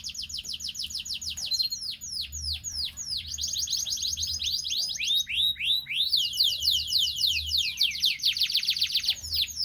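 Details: Canary singing at dawn to prompt pairing: nearly ten seconds of varied song, with rapid descending sweeps, slower drawn-out whistles and dense buzzy rolled trills following one another without a break.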